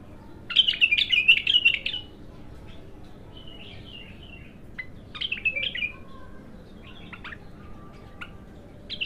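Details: Raw, untrained bulbul singing for the first time: two bursts of fast, buzzy, rippling high warbles about two seconds long, separated by quieter scattered chirps and a low background hum.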